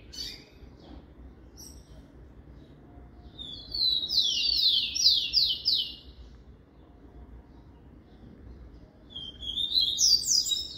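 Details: Tico-tico, the rufous-collared sparrow, kept in a cage and singing the "Jesus meu Deus" style: a few faint high notes, then a bright, rapid trill of repeated slurred notes, a pause, and another high whistled phrase at the end.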